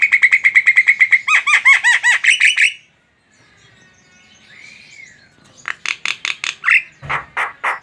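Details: Energetic Javan myna singing: a fast train of buzzy chattering notes with drooping whistled tails, a quiet gap, one soft rising-falling whistle, then more loud harsh rhythmic notes and a low thump.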